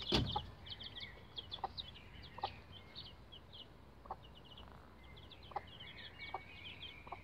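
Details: Bantam Rhode Island Red chicks, roughly 11 days old, climbing a chicken ladder: a loud thump opens, then high short downslurred peeps in scattered bursts, with soft knocks recurring about every second.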